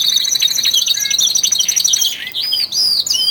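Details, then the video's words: Twelve caged male canaries in early February, singing with growing intensity ahead of spring: dense, continuous high trills and rapid chirps overlap, with sweeping whistled slurs rising and falling near the end. "canary song II"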